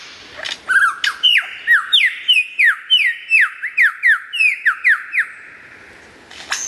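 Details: Loud, clear lyrebird song opening with a few chirps, then a steady series of about fifteen ringing whistled notes, each sliding downward, roughly three per second, ending in a high sweep.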